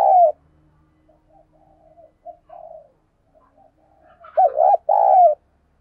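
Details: Spotted dove kept as a decoy, calling energetically to excite wild doves: one loud coo, a run of soft murmured notes, then a final loud phrase of rolling, hollow coos ending in a drawn-out note.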